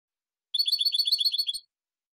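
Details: European goldfinch singing a rapid, twittering trill for silvestrismo: about a second of evenly repeated, tinkling high notes, with no other sounds.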